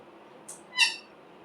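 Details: Green parrot giving one short, harsh squawk rich in overtones, preceded by a brief hissy burst; otherwise quiet background.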